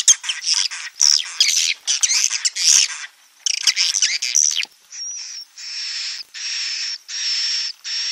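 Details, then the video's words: Swiftlet roosting ('inap') sound: dense, high, scratchy twittering chirps, then a run of evenly spaced buzzy rattles, each about half a second long. "Suara Inap walet"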